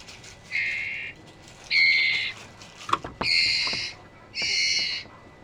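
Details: Paired male and female trotol birds exchange four rasping, buzzy notes, each about half a second long and evenly spaced, with a couple of sharp clicks near the middle.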